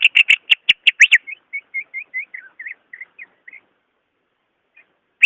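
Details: Greater green leafbird, kept caged, singing to prompt another: opening volley of sharp loud notes, followed by a soft string of short whistled chirps and a final note.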